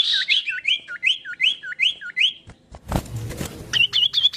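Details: Common iora (sirtu or cipoh) whistled song variation: a quick series of rising, looping whistles repeated several times a second, then a loud rustling burst of noise, then further short high notes.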